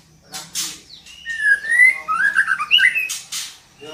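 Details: Female white-rumped shama calling to encourage a male to sing: a drawn-out whistle leading into quick jumbled warbling notes, with sharp rustling or flapping noises before and after.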